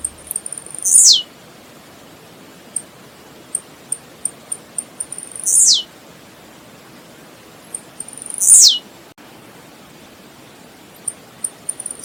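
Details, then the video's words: Blue-black grassquit song used to stimulate singing: three clear, piercing buzzy notes dropping steeply in pitch, spaced about four seconds apart, separated by scattered tiny clicks and ticks. "Canto Do Tiziu - Canto Do Tiziu Para Esquentar"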